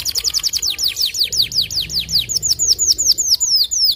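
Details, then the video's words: White canary giving a sustained run of sharp, high, downward-sliding whistles, roughly five per second, steady and loud throughout. "Kenari Putih Gacor Tembakan Panjang"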